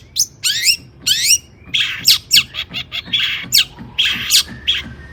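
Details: Agitated long-tailed shrike song used to stir other shrikes to sing, opening with bright descending whistled sweeps, then rough, grating bursts and scratchy chatter in uneven rhythm, with soft low background hum.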